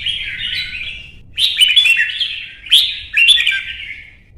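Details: Caged Red-whiskered Bulbul in a singing contest: one long tumbling warble followed by three loud, chattering whistled phrases, each starting with a sharp click.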